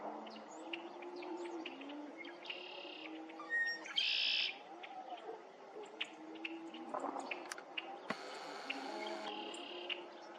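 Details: Red-winged Blackbirds at Lake Afton on 20 February 2023 give harsh, buzzy bursts and scratchy rasping notes amid a busy chorus of chips and chatter from several birds.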